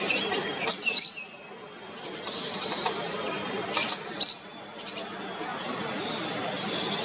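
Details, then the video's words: Bulbul chicks begging from a nest sheltered in a parking shed near humans; clusters of shrill high chirps around one and four seconds, scattered fainter cheeps between, constant background hiss. "Baby Bulbul chicks clamour for mother's attention in parking shed nest"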